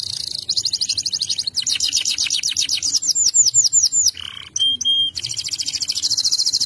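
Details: Singing canary delivering dense high trills, a run of quick downslurred notes, a low short whistle, a clear steady tone, then a long fast rolling trill.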